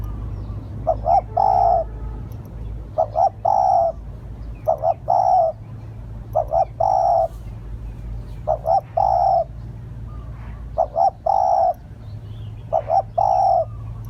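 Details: Spotted dove lure call given steadily, seven phrases of two brief coos and a longer mellow hoot, roughly every two seconds, with a constant low hum behind.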